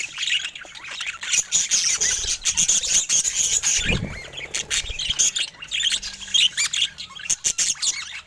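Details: Colorful budgerigars kept as pets, keeping up constant high chattering and chirps, with a low thump near the middle.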